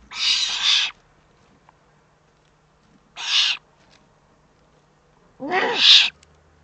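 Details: Eurasian eagle-owl in the Eifel, Germany, recorded 3 May 2014: three harsh, hissing rasps about half a second to a second long, spaced two to three seconds apart, the last with a slightly tonal edge, over a faint low hum.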